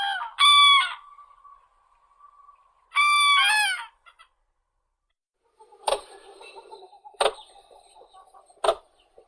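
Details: Crane giving two loud, ringing, bugled calls with a drawn-out tone between them, followed by a few sharp clicks after a pause.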